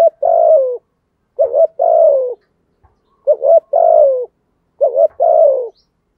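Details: Low-voiced 'giọng thổ' spotted dove cooing steadily. Four phrases about every one and a half seconds, each a clipped two-part lead-in and then a long, smooth, descending coo.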